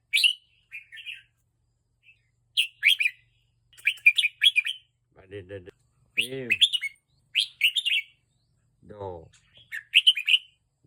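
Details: Red-whiskered bulbul kept in a cage and teased into excited singing: short, lively bursts of high, twittering, slurred notes repeat every second or so, broken by brief low vocal sounds from a person.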